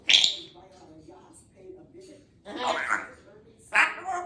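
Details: Young chatty female Congo African grey parrot kept as a pet indoors and known for clear words. Bursts of hissy, speech-like chatter with a high, sharp onset, then two raspy syllables after a pause.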